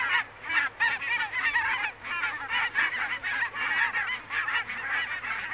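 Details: Flock of barnacle geese heard through fog at Niittylahti, Savonlinna, Finland, 2 October 2011, with rapid, overlapping short honks pulsing in waves, loud and continuous throughout.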